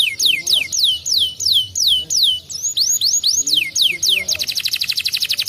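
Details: Canary singing as a lure to draw an answer from another canary. High swooping whistles fall one after another and then turn to rising notes. The phrase ends in a rapid, even trill, with faint low background sounds beneath.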